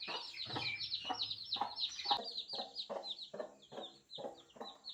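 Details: Chorus of newborn chicken chicks cheeping nonstop, high downward-sliding peeps in dense overlapping bursts, alongside evenly spaced soft clicking taps roughly three or four times a second.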